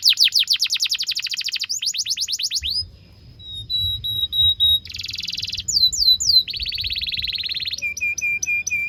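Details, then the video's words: Canary song played as a tutor for young canaries learning to sing: quick repeated falling notes, a brief pause, steady whistles, then buzzy rolls, swooping notes and a rhythmic series of clipped chirps. "PANCINGAN KENARI GACOR DURASI PANJANG UNTUK MASTERAN KENARI PAUD BELAJAR BUNYI DAN GACOR"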